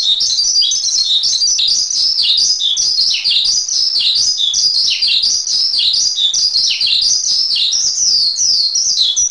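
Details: Javan pied starling giving a long tutor song: continuous high chattering and whistling, with many notes that swoop down and then climb back up, packed densely with no gaps.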